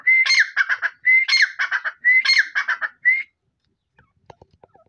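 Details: Three full grey francolin phrases, each a rising whistle followed by harsh chattering notes. A final lone whistle follows, then the calling stops, leaving faint ticking sounds.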